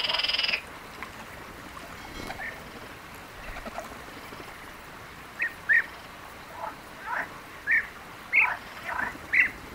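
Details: European bee-eaters filmed in the Palestinian countryside: short, rolling, mid-pitched notes come in quick bursts through the second half, about nine calls in all. A brief harsh burst of noise opens the recording, followed by quiet background hiss.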